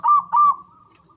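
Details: Male zebra dove giving its ngoar manggung call, used to stir mating arousal and fighting spirit: two short, husky cooing notes at a mid pitch, the second longer, then quiet.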